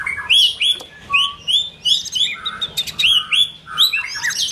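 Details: White-rumped shama during form building, repeating bright upslurred whistles about twice a second, mixed with clipped high notes and a few lower, softer phrases.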